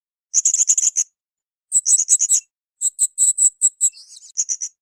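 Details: Blue-crowned hanging parrot song used as a training recording for cage birds: rapid bursts of thin, very high, sharp chirps in quick runs of five to eight notes, four bursts separated by short pauses, with a brief twittering slur near the end.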